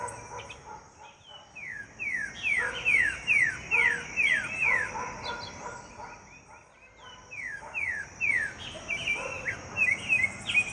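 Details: A sabiá (thrush) sings its siren song, two bursts of quick, clear, downward-slurred whistles, about three per second, with a steady high hiss behind.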